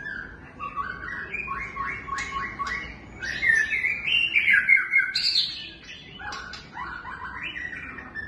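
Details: White-rumped shama pouring out a song that opens with a quick series of repeated stepped notes, then a loud, bright trilling passage, and then more repeated descending notes.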